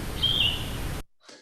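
Yellow-throated Vireo: a single short, slightly falling song phrase, hoarse and burry like a vireo with a sore throat, over a steady background hiss.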